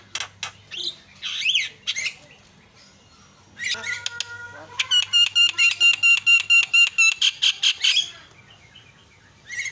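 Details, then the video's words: Jalak kebo, the Javan myna, giving its isian filler song, praised as very active and melodious: varied scratchy and swooping notes, then a long run of about fifteen clipped, ringing notes repeated at a steady fast pace. "JALAK KEBO SUARA ISIIAN"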